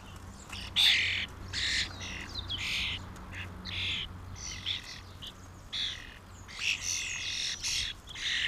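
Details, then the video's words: Common starlings, a small flock and family drawn down by mealworms in 2016, give harsh, raspy screeches in short bursts, roughly one or two per second, with a brief whistled note near the start and a low steady hum beneath. "Starling family 2016"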